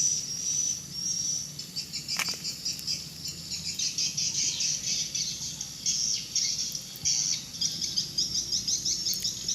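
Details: Swiftlets active in the evening before entering their bird house; many high, thin chirps overlap in a dense twittering band, with sharp clicks and steady insect-like hiss underneath.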